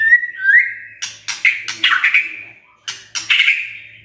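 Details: White-rumped shama kretekan, sung to stir up emotion. A steady whistled note rises slightly, then is broken by a series of sharp crackling clicks layered over sustained whistling.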